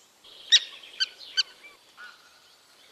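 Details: Common tern calling at a raft breeding colony in Dachau, Germany: three sharp, loud, high rasping notes about half a second apart, followed by softer call fragments.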